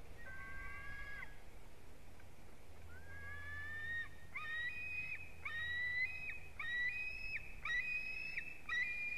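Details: White-tailed eagle (Haliaeetus albicilla) chick on its nest in Durbe, Latvia, 13 August, from a nest livestream: thin, whistled, slightly rising calls, about one each second after a longer opening note, over a steady low rumble of wind.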